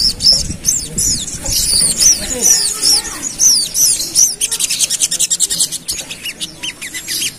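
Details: Agitated pied fantail, stirred up by a lure, starts with sharp, high, down-slurred whistles at a brisk pace, then breaks into a fast, rattling 'ngerap' chatter of short clipped notes.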